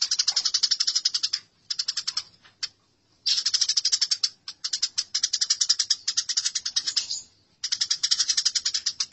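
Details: House sparrows fighting, a masteran recording for training songbirds: dense bursts of rapid, harsh chirps repeated in quick rows, broken by short pauses, with no other clear sounds.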